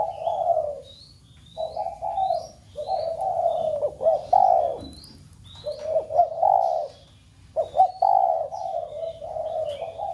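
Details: Spotted dove, cooing to stimulate other doves at home: long, rolling, slightly wavering low coos in extended phrases, with repeated small-bird chirps and tweets over the top.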